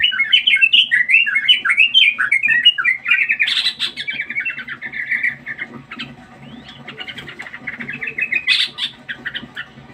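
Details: Sooty-headed bulbul (trucukan), a caged bird in a mental test, singing a fast run of short warbled, slurred phrases, loud at first, then softer chattering notes, with two sharp bursts partway through and a faint low hum beneath.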